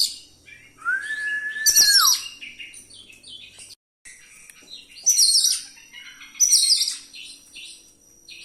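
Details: Oriental magpie-robin's rolling song with imitated fill-ins, meant to provoke other birds: a clear sustained whistle falls away, then bright high chattering phrases follow in bursts after a short silence.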